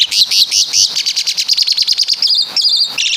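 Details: Javanese Asian pied starling mimicking other birds, a fast run of high, bright chirping notes repeated several times a second, finishing with short high whistles.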